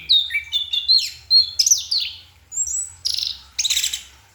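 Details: Orange-headed thrush, a kept songbird singing at night, delivers a rich varied song of whistled slurred notes jumping between high and mid pitch, mixed with buzzy chattering bursts and harsh high rasps near the end; low hum beneath.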